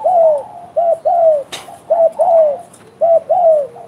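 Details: Spotted dove in full voice, giving smooth hollow coos in short groups of two or three downward-curving notes, with one sharp click partway through.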